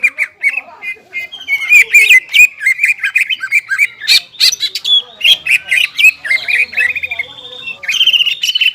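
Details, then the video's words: Long outpouring of song from a captive greater green leafbird, used to rouse stressed leafbirds that have gone quiet: rapid mixed whistles, chatters and harsh notes repeated in dense runs, a brief low hum in the background. "CUCAK IJO GACOR JAMBUL NGENTROK PALING AMPUH MENAIKAN EMOSI CUCAK IJO STRES DAN MACET"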